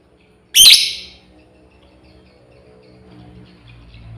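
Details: Female lovebird calling to its companions: a single shrill, harsh chirp bursts out near the half-second mark and fades quickly, followed by near silence with a faint low hum.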